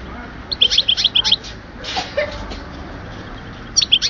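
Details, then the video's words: European goldfinch song recorded at Oued Souf, Algeria, in 2010: a quick series of high, clear, bell-like twitters repeated several times a second, a brief pause, then the twittering resumes. "chardonneret with best song"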